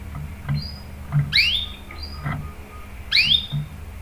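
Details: A canary recorded as a lure to set other canaries singing gives two bright, falling chirps about two seconds apart, with soft low knocks and hum behind.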